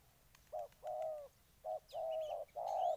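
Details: Spotted dove song from Ninh Thuận, Vietnam: a short coo, then a long coo, repeated, the last notes loud and drawn out, with thin high chirps from other birds behind.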